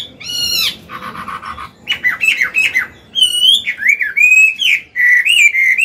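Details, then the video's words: Mature Chinese hwamei in a cage, singing in forest style as a training song. The clip opens with harsh, nasal, buzzy notes and a rapid chattering burst. These give way to clear, wavering whistled phrases that bend up and down. "Họa mi già giọng cực hay, luyện bổi, kích trống hót hay náo"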